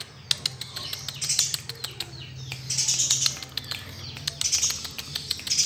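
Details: Eurasian tree sparrow, master recording used for training: high twittering chirps in loose runs, mixed with sharp clicks and rustling, over a faint low hum.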